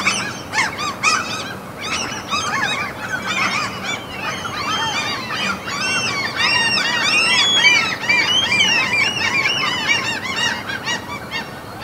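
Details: Chorus of seagulls at a fjord in Norway's mountains: overlapping arched, squealing yelps that thicken and grow louder midway, a busy continuous clamour of many birds.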